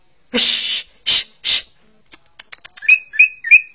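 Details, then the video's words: Three harsh, hissing rasps from a greater green leafbird give way to a quick sequence of high ticks and then a few slurred whistled notes building into song. "CUCAK HIJAU - Burung Ccucak Ijo 23"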